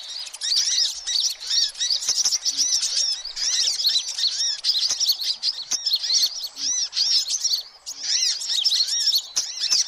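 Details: Noisy sunbird chatter recorded for luring every type of sunbird: dense high squeaky chirps and short rising-falling twitters pour out nonstop, with a short gap near the end.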